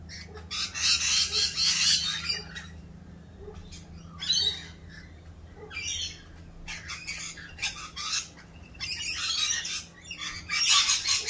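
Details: Mating-season rainbow lorikeets, noisier than usual as they perform their mating dance: rasping high screech bursts of one to two seconds, separated by brief quieter gaps, with a low steady hum beneath.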